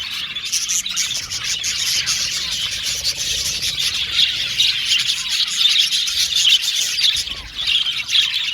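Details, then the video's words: Many caged male budgerigars, blue and violet, chirp and warble together in a steady, shrill chatter that swells slightly in the second half. "Beautiful budgies chirping sound"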